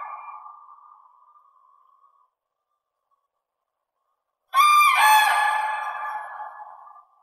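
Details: Common crane gives a loud ringing trumpet call full of overtones, lasting over two seconds and slowly fading, after a softer call dies away and a pause of silence.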